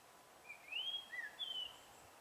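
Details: Long-tailed tit in February giving a brief series of thin, high whistled notes: a rising, sliding first call, then shorter slurred high notes, over a steady faint background hiss.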